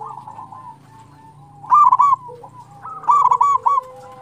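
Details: Zebra dove singing actively, a recording meant to lure other doves and rouse quiet or stressed birds: gentle cooing notes, then two loud rapid rolling trill bursts about a second apart.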